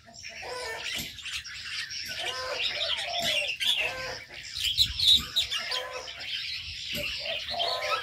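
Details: Many caged aviary birds: rapid overlapping chirps and tweets, some quick clucking series and a brief falling whistled note, with faint fluttering between calls.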